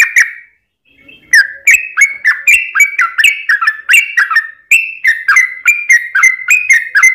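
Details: Yellow-vented bulbul (trucukan) in long rapid ropel song, used as a lure to make other birds sing: a short opening note, a pause, then a fast, steady run of bright bubbly chirps, each sliding downward, about three per second.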